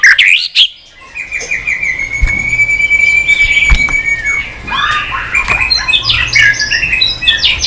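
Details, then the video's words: White-rumped shama singing with many unusual voices and flicking its tail on the perch. A long, steady whistled note holds level, then busy, varied chattering phrases follow. "chòe lửa hót nhiều giọng lạ"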